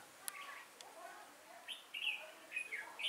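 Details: Red-whiskered bulbul used as a trapping decoy on 5 October 2018 to call in wild birds: after a quiet start, brief clear whistled phrases arrive in two short bursts, the second louder, over soft background murmur.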